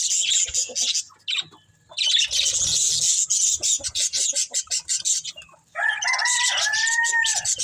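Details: Budgies enjoying green food produce continuous high, buzzy chattering and rapid clicking chirps. A long harmonic call, perhaps a rooster crowing, rises and falls near the end.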